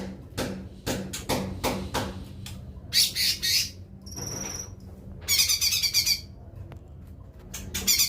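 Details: Lesser green leafbird (cucak ijo mini): a few sharp clicks, then short, scratchy, high chattering bursts and a thin, level whistle, followed by a longer rapid buzzy trill.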